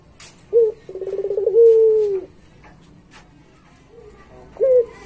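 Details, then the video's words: Pelung-style song from a Barbary dove, for training pet doves: a short sharp coo, a rapid rolling trill swelling into a long falling hum, quiet gap, then another short coo. "Suara Masteran Puter Pelung Gacor Paling Bagus"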